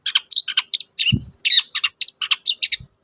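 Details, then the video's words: A lure recording of long-tailed shrike song meant to spur silent captive birds: a fast, continuous string of harsh chattering notes and varied chirps, with one brief low knock. "pancingan ampuh cendet susah bunyi agar cepat gacor"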